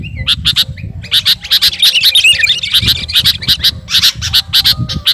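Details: Kutilang garuda, a sooty-headed bulbul, singing hard toward a rival: quick spaced chips at the start, then a busy jumble of scratchy twittering in the middle, returning to regular sharp pulses.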